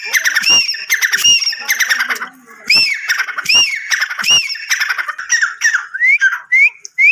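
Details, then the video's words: Grey francolin, dakhni teetar, sound recording: loud, harsh repeated squawking notes with rising, arched whistled tones, several overlapping phrases, growing faster and more upslurred toward the end. "teetar ki awaaz"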